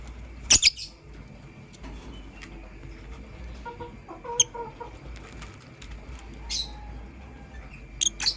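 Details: Lovebirds in the morning, a blue opaline and a green personata, give sharp, high chirps in short clusters near the start, middle and end, with a faint lower warbling passage and a steady low background hum between calls.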